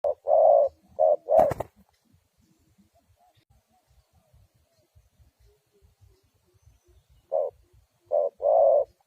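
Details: Spotted dove used as a lure to trap wild doves: low, mellow cooing phrases of a few short and longer notes at the start, then a quiet pause with faint rustling, then another cooing phrase near the end.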